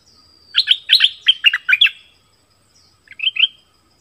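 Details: Orange-headed thrush song for luring wild birds and training young: a quick series of doubled whistled notes, a pause, then a short softer two-note phrase.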